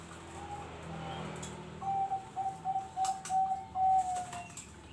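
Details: A contest-quality zebra dove (perkutut) gives a quick run of about seven soft, mellow cooing notes on a steady low pitch, with faint background hiss.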